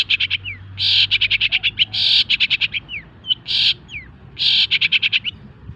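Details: Long-tailed shrike song for stimulating other birds: grating buzzy chatters alternate with quick clicking rattles and short falling whistles, loud and close.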